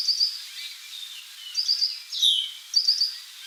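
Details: Worm-eating warbler at Montrose Point, Chicago, on 27 May 2014, giving short, high, dry insect-like trills about every second and a half, with a louder downslurred note between them over faint background hiss.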